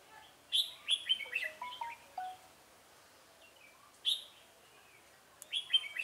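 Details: Red-whiskered bulbul decoy song used for trapping rivals: loud, bright chirping phrases of sharp whistled notes in two bursts separated by a pause, with another phrase starting at the end.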